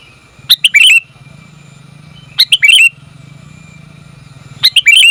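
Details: Female sooty-headed bulbul calling to the male. Three separate bursts of quick, sharp, hooked chirps are spaced about two seconds apart, with a steady low mechanical hum between them.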